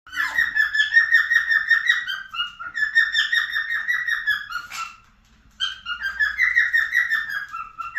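A cockatiel sings a rapid run of whistled, slightly warbling notes in bursts, pausing briefly between phrases.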